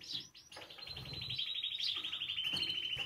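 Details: Canary song meant to stimulate other canaries to sing: a few sharp chirps, then a long, steady rapid trill that slowly drops in pitch, with brief buzzy notes and light background noise.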